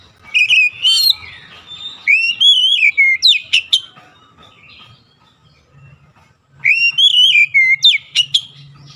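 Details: Lure song of an Oriental magpie-robin, meant to push reluctant, quiet birds into steady singing: loud wavering whistled phrases ending in sharp chips, a pause of about three seconds with faint chirping, then the phrase again.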